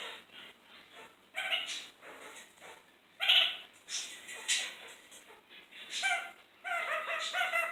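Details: A cheeky pet kakariki (New Zealand parakeet) in a kitchen gives harsh, nasal chattering bursts, each short and rich in overtones, at irregular intervals, then a quicker run of notes at the end.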